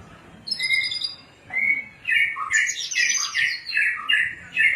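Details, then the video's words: Javan bush lark, Cilacap type, in cing ciu song: loud varied chirping phrases of short notes that jump between pitches, delivered in bursts about a second long with short gaps. "Kicau cing ciu branjangan Cilacap"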